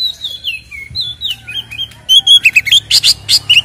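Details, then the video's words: White-rumped shama song used to provoke captive birds; gentle descending whistles at first, then a fast run of loud sharp repeated chips and trills. "SUARA BURUNG Kacer gacor isian NGEPLONG TARUNG ini paling AMPUH buat PANCINGAN KACER agar EMOSI"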